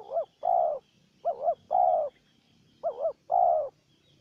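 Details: Wild spotted dove in a calling contest with a decoy bird: three rapid phrases, each a bouncy double-looped note followed by a longer smooth coo, with a faint high insect drone behind.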